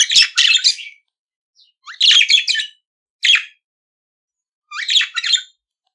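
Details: Pet budgerigar singing in scratchy bursts of chatter, each under a second, separated by quiet gaps, with a brief rising squeak and a single sharp chirp between the longer warbled phrases.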